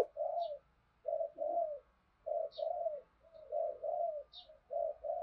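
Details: Spotted dove calling coo, Đồng Nai, Vietnam, played to get other doves cooing: mellow two-part coos repeat roughly every second, with a steady hiss and a brief high chirp recurring in the background.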